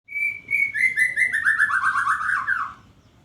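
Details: White-rumped shama, caged and set out to sun in the morning, delivering a rich warbled phrase: a steady high whistle, then a run of quick, slurred notes stepping downward for about two and a half seconds, over a low background hum.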